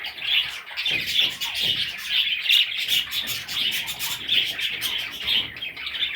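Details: Baby parrots producing steady, busy, high-pitched chirring and chirping, notes packed closely together with quick clicks throughout.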